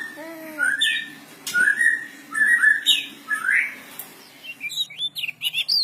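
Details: Oriental magpie-robin starting with a harmonic-rich slurred note, then warbled whistles and rising slurs, ending in a quick run of short high chips.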